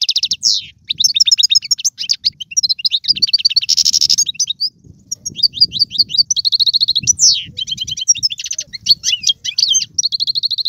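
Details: European goldfinch singing, meant to stimulate a pet goldfinch into song: continuous high, liquid twitter mixing quick trills, nasal buzzes and sliding notes, with faint low rumbling underneath.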